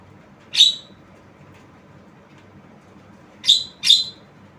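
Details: Javan myna calling with loud harsh rasping squawks, one single and then a quick pair near the end, in otherwise quiet surroundings.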